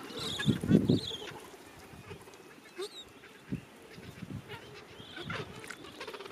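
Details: Gentoo penguins calling within a dense breeding colony at summer's end; a loud throaty honking burst opens, followed by scattered short squawks and distant nasal cries against a constant background of colony sound.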